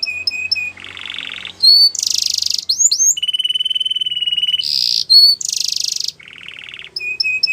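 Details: Yellow canary singing a training song meant for teaching young canaries; a string of distinct tours: short high chips, a buzzy low trill, broad rasping bursts, a long steady rapid trill, then more chips and trills.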